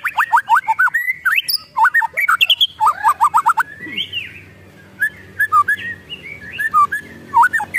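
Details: Agitated white-rumped shama delivering ketrekan: a fast, loud stream of short looping whistled notes, then a pause and a slower series of separate whistled slurs.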